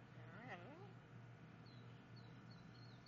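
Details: Talking yellow-naped amazon giving a brief burst of wavy, harmonic speech-like syllables early on, followed by faint thin high whistles against a constant low background hum.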